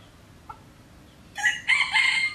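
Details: Close, loud crow of a wild junglefowl at a pagoda near Teuk Chob Khnar Po Community Forest, Siem Reap, Cambodia: a faint short note, then a harsh, broken two-part crowing phrase rich in high overtones, in quiet surroundings.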